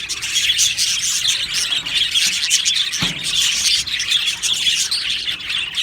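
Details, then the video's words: Budgerigar colony in an aviary, Australian parrots singing and chirping: a dense, continuous wash of high chattering warbles and squeaky tweets with no pauses, plus one short low thump near the middle. "Beautiful Happy Budgie singing and chirping sounds"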